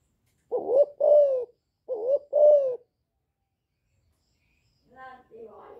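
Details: Two calling phrases from a young spotted dove, chu lèo style, meant to rouse wild doves: each a rising note then a longer falling coo, about a second apart, followed by a softer harmonic note and a hiss.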